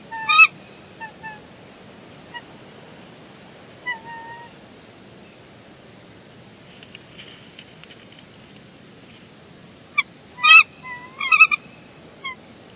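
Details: Wild bald eagle pair at a nest on a live cam at Big Bear Lake, February 3, 2022, calling during a nest switch as the female returns to the eggs: short high harmonic chirps and chattering bursts near 0.4, 4, and 10–12 seconds, separated by quiet background hiss.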